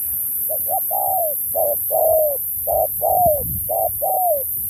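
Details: Spotted dove performing Thúc-style song with Bo for a 2024 contest: rapid alternation of short clipped coos and longer drooping notes, roughly one phrase per second, loud and close.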